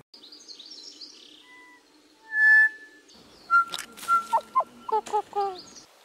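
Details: A North Island kōkako in New Zealand, recorded in 2019, gives its haunting song: a long, pure, organ-like note, then slower fluting notes bending up and down, with faint higher chirps from other birds.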